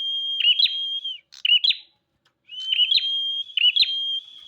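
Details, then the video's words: Bar-winged prinia in lively song: a long, level, whistled tone broken by quick twittering flourishes, a pause, then the sustained whistle returns with further chirps. "Burung prenjak gacor"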